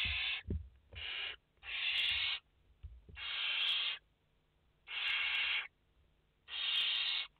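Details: Five barn owl nestlings calling from their nest with long rasping hiss-like screeches of varying length, roughly one every second, separated by short silences; faint low thumps beneath.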